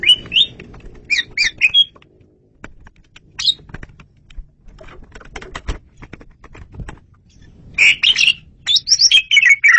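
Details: Asian pied starling singing loudly and clearly, used for luring birds: a few squeaky whistled notes at the start, then soft clicking and rustling, then a dense burst of chattering whistles at the end.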